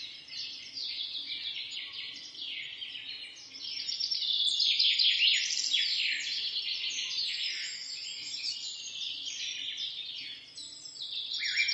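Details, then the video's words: Morning birdsong from a forest roadside, numerous birds chirping and trilling together in a continuous high chorus, rapid downward-sweeping notes and twitters swelling louder midway, then easing and rising again near the end. "begin your day with the positive energy birds singing"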